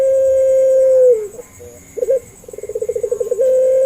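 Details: Sustained low coo of a puter pelung dove descending at its end, followed by brief upturned notes and a rapid throbbing trill starting the next call; played to make other doves sing.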